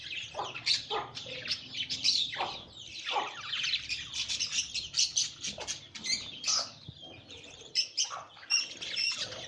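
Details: Budgerigar chicks being fed by their parents give dense, raspy, high chirping and squawking begging calls.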